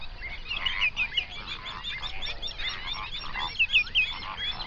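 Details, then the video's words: Flamingo flock of hundreds on a lake in an Overberg national park, South Africa, recorded binaurally early in the morning: close, louder bursts of honking and nasal chatter rising and falling over a continuous chorus of distant calls. "Flamingo sounds"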